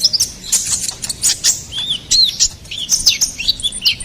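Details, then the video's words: Ruby-cheeked sunbird in bold song for training and luring songbirds: bright, rapid twitters mixed with clearer arched whistles that rise and fall, packed into quick, jumbled phrases. "SUARA GACORAN KONIN KOLIBRI NINJA"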